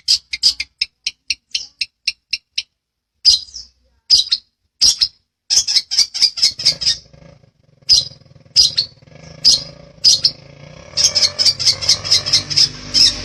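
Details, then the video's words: Long-tailed shrike singing fast gacor rolls in a master recording for training birds: evenly spaced sharp high chips, then irregular clusters, ending in a rapid rattling run over a faint low hum. "Masteran burung CENDET_PETET gacoran ROL rapat NGEPLONG"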